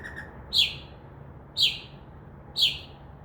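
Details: Northern mockingbird in a tree outside a window, singing after midnight and copying sounds such as crow caws; three identical loud chirps repeated once a second after brief soft notes.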